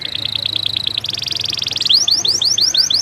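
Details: Canary song of evenly spaced high pips, switching to a dense fast trill, then a run of repeated rising whistled slurs, over a soft low hum.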